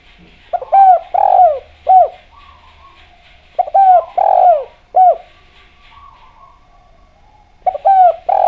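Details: Javan derkuku, a spotted dove, in full clear-voiced song used as a lure to prompt other doves to call. Three phrases of mellow, slightly hoarse cooing, each a quick pickup note, one long rolling coo and a short closing note, separated by gaps of about three seconds.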